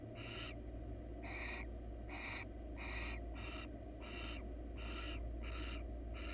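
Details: Wild female barn owl seeking attention inside a research nest box gives about nine loud rasping screeches in quick succession, some shorter and closer together, with low background hum.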